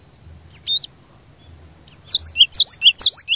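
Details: Cinereous tit lure bird in active song meant to trigger rivals: a lone two-note whistle, a pause, then a rapid run of high, sharply rising and falling whistled notes.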